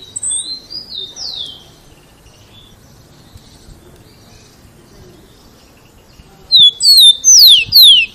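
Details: Tico-tico, the rufous-collared sparrow, singing very loudly to encourage other sparrows to learn its song: a few soft whistles at first, then after a long pause a loud run of four high, downward-slurred whistled notes.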